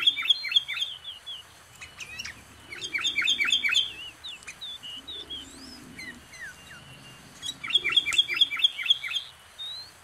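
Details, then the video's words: Sooty-headed bulbul close to a residence, singing quick strings of bright, falling chirps repeated about four per second, with scattered slurred whistles between bursts. "SUARA BURUNG KUTILANG, CANGKURILEUNG | SOOTY HEADED BULBUL SOUNDS"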